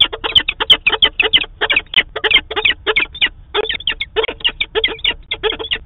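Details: Peregrine falcons, a pair at the nest site in Manchester, New Hampshire, on 2 September 2018, live webcam: fast, harsh chattering in dense bursts with one brief gap midway.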